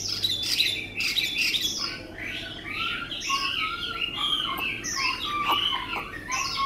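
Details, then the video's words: Varied whistles, slurs and short sharp notes from a tame Vietnamese Chinese hwamei kept for its good voice, with notes jumping between pitches at a moderate loudness. "họa mi ccdv1121 thuần đẹp giọng hay quá"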